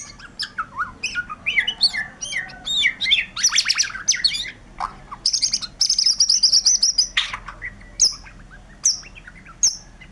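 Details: White-rumped shama in energetic song: rapid trills, buzzy sustained high notes and clear whistled phrases follow one another, later thinning to separate sharp high notes.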